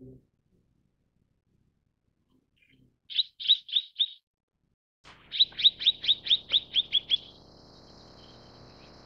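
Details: Mrs. Gould's sunbird chirping: four high notes, a short gap, then a faster series of about ten. A steady high hiss lingers afterwards.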